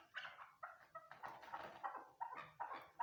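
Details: Chukar hen calling at close range: louder, throaty chuck notes in rapid, irregular bursts, some slurred together, others clipped and sharp, heard in a small indoor space.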